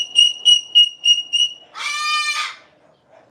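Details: A rescue cockatoo, Peach, in a sanctuary flock's aviary, gives five clear, high whistled notes in quick succession, about three a second, a pretty song, then breaks into one harsh, rasping screech, a yell.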